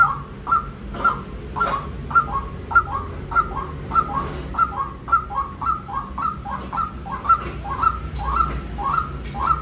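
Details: Persistent chain of coarse, quick notes from a white-breasted waterhen, the pace quickening slightly toward the end, with a low steady rumble in the background.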